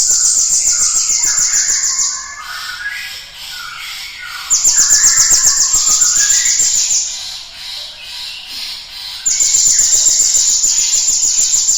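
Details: Cinereous tit lure song for stimulating other birds: three long, high, fast-pulsed buzzy trills, each lasting about two to three seconds, alternating with busy lower chirping from other birds.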